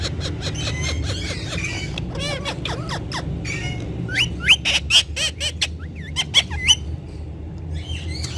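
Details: Several Indian ringneck parakeets, talking parrots said to speak Urdu and Hindi: a burst of sharp clicks and squawks, then a run of quick, rising, whistled chirps, over a steady low hum.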